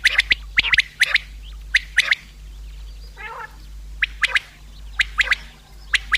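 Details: A common quail call used in hunting: crisp, sharp triplets of short notes repeated at roughly one-second intervals, with a brief soft burry sound in the middle and a low hum behind.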